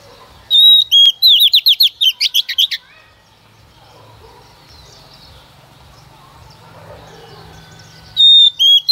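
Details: Female white-rumped shama used as a lure to stimulate singing opens with a long whistle and a fast burst of sweeping, rippling notes, falls silent over faint background hum for several seconds, then resumes whistling.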